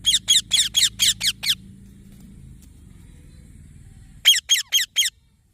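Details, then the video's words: Green parrot chick chirping: seven grating high chirps in quick succession, a long gap with a low hum in the background, then four more sharp chirps. "Green Baby Parrot Chirping Sounds"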